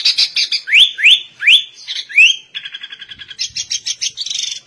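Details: Sooty-headed bulbul singing in a style imitating the white-rumped shama, loud bright phrases: a run of sharply rising whistled slurs, then rapid repeated chattering notes and high trilled bursts.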